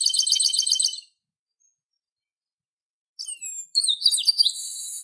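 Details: A chestnut-capped blackbird opens with a fast pulsed trill about one second long, falls silent, then sings descending whistles leading into a sustained buzzy note.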